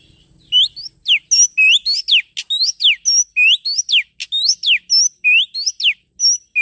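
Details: Oriental magpie-robin lure song: a rapid, steady stream of sharp, downslurred whistles mixed with short flat notes, about three notes a second, continuous throughout, with a faint low hum at the start.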